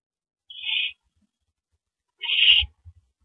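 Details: Owl at its nest at night on 9 April 2012, around 7:58 PM, during the first mouse delivery of the night: two harsh, raspy hissing bursts about two seconds apart, with faint low thumps.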